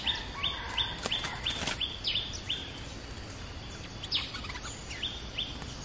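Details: Caged stripe-throated bulbul kept as a decoy bird for trapping, tried in a new decoy cage, singing actively: a run of short, sharp, high chirps at about three per second. Scattered louder clicks and steady background noise.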